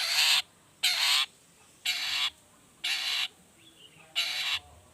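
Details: Long-tailed shrike lure sound in the 'toet toet' style, meant to make other shrikes sing: long, harsh, hissing rasps about half a second each, repeated once a second, separated by short gaps.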